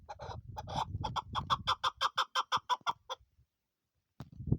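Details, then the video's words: A female chukar partridge kept as a hunting bird gives about a dozen rhythmic, throaty chuck notes, quickening then steady at roughly five per second, with some low rustling noise around them. "female shikari chakor ki awaz sound"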